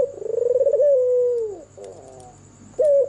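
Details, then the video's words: Albino white Barbary dove, red-eyed, singing after dark: a trembling coo that steadies into a smooth held tone and falls away, a soft fluttering pause, then a bright new note begins, over a faint steady hum. "SUARA MERDU BURUNG PUTER PUTIH MATA MERAH MANGGUNG DIMALAM HARI"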